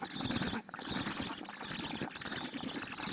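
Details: Black stork chicks at a nest in Hungary, being fed by an adult, filmed by a live nest camera on 4 June 2017 around 13:09; rough, squealing, wheezy begging calls come in fast, irregular bursts over a steady hiss.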